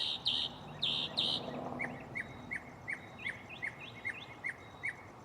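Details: Mockingbird singing at night from a nearby tree, shuffling its song catalog: three harsh buzzy notes, then a steady run of short down-slurred chirps, with noticeable background rumble.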